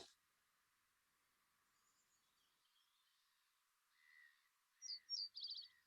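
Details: A quiet Reed Bunting song recorded in spring near Dublin: after a long pause, one short, hesitant 'one-two check' phrase of a few high separate notes ends in a quick buzzy trill.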